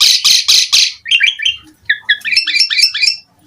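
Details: Asian pied starling (jalak suren) singing a full, varied song: three harsh raspy bursts, then a series of quick rising and falling whistled notes building into a chattering phrase.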